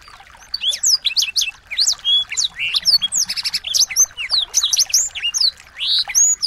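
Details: Continuous chatter of small birds, used to train a white-rumped shama: high, rapid chirps, rising whistles and short rattling trills crowd together for over six seconds, with only brief dips between phrases.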